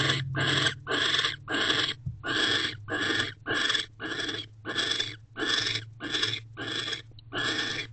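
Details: Nighttime barn owls inside an owl box, 18 December 2023, during the male's return, mating and guarding of the entrance; a fast run of about thirteen rough, noisy hisses, nearly back to back, over a faint low hum.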